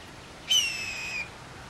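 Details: Blue jay in the trees, called as peanuts are put out, gives a single harsh, tonal, slightly descending call lasting under a second, against a quiet background.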